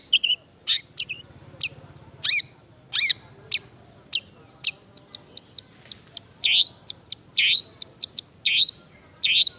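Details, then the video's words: Long-tailed shrike in semi-full song, its song filled with imitated sounds: sharp, high chirps and short whistled notes in irregular bursts. The notes speed up into dense, scratchy clusters toward the end, with faint low background noise. "BURUNG CENDET SEMI GACOR ISIAN"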